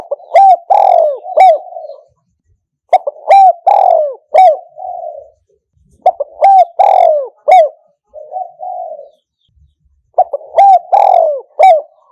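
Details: Spotted dove cooing played as a decoy to attract other doves, in the one-note calling style. Three phrases about four seconds apart, each a quick series of deep hollow coos ending in a longer slurred falling note, against silence.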